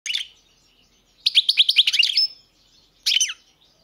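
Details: European goldfinch singing: a brief twittering burst, then a run of rapid liquid chirps ending in a thin drawn note, and a final short tinkling flourish after a pause.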